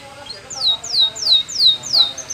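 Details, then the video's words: Canary singing a Spanish Timbrado training song: five high whistled notes, each sliding downward, repeated about every half second in a short even series over faint background hiss. "Many Canaries Sang Along After Listening To This Song"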